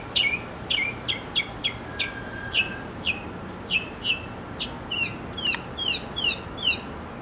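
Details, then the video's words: In a backyard, a male mockingbird sings for a mate with crisp down-sweeping notes in a steady series, then switches to rapid doubled chirps. "Mocking Bird 200 Sounds to Get the Girl!"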